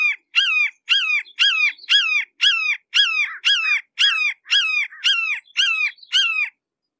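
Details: Thirteen loud, clipped kee-ah calls from a red-shouldered hawk seen up close, repeated almost twice a second in a steady run, each note falling at its tail, with nothing else audible.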